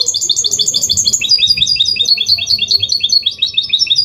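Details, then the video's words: Singing goldfinch hybrid, Málaga-copy clean song for teaching chicks and spurring males: a continuous rapid, liquid twitter of high repeated notes, several per second, steady throughout, faint low hum beneath. "Mixto jilguero Limpio canto (copia malaga) Elegante / mule of goldfinch bird singing the best sounds"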